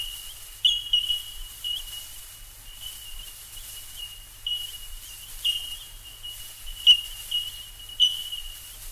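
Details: Bell Miners calling in Australia, a continuous high bell-like ringing broken by frequent bright 'tink' pings of varying loudness, irregularly spaced, with a quiet low hum beneath.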